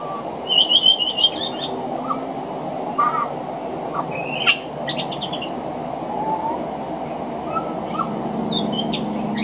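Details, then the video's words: Pied butcherbird singing from a veranda in Australia, weaving mimicry of other Australian birds into its song: bright high whistles, quick trilled notes and sharp clicks in scattered bursts, over a constant thin high hum. "Mimicry of the pied butcherbird"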